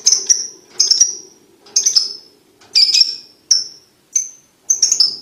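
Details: Lovebird ticking to tutor young lovebirds toward quick trilling: high, sharp chips, often in close pairs, repeated about every second over a faint low steady hum.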